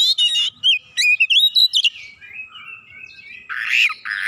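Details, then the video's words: Oriental magpie-robin responding right away and persistently with its isian, or fill phrases: a rapid run of clear whistled notes sliding up and down, then softer warbling and a harsh buzzy burst at the end. "Kacer langsung nyaut ngotot bongkar isian"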